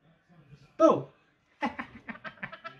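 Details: A pet male rainbow lorikeet (Trichoglossus moluccanus) playing peekaboo with its owner gives a harsh squawk, then a mimicked laugh of about eight rhythmic, chuckling 'ha-ha' notes, in a small quiet room.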